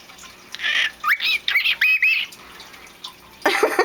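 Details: A male pet cockatiel, a very vocal bird, gives a quick run of bright, rising whistled chirps at bedtime while his owner speaks softly nearby, coaxing him to talk.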